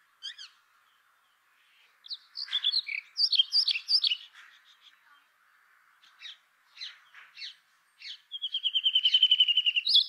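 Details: Brown rock chat (Oenanthe fusca), song.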